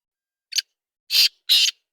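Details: Harsh, scratchy calls of a black francolin: one short rasp followed by two longer grating syllables about a third of a second apart, bright and broad in pitch, against a silent background.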